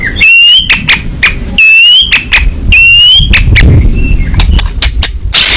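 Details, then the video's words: White-rumped shama, a fighting bird in full song with open beak: three long, high, clear whistles rising slightly at the end, separated by sharp clicks, over a steady low rumble. "burung murai batu petarung super gacor buka paruh"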